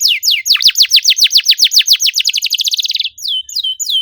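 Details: Lure song of a canary for prompting non-singing birds: a fast, tightly packed series of sharp falling chirps that speeds into a rapid rattling trill, ending with several spaced whistled down-slurs.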